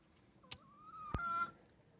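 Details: Dorking chicken chicks foraging and being fed: a few clear whistled peeps with a level, slightly wavering tone, plus a couple of sharp knocks and a faint steady background hum.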